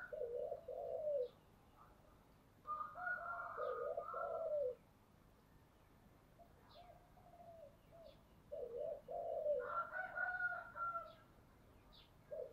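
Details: Spotted dove as a lure bird, cooing to call in wild doves: soft, low, hoarse coo phrases of several notes, each lasting about two seconds, repeated with quiet pauses between them.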